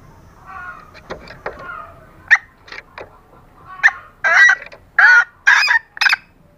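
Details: Female green junglefowl calling to attract males. Soft, scattered clucks and brief notes start the passage, then grow into four louder, harsher honking notes near the end. There is faint low rumble beneath.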